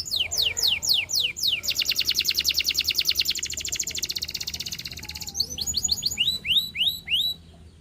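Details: Canary in Russian singing style, meant to attract other canaries, opens with downward-sweeping whistles, holds a long rapid rattling trill for about three seconds, then finishes with arching upward-curving notes.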